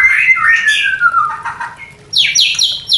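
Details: Mating song of a White-rumped shama for stirring breeding desire in new pairs: a long descending whistled glide, a pause, then repeated sharp high chatter notes.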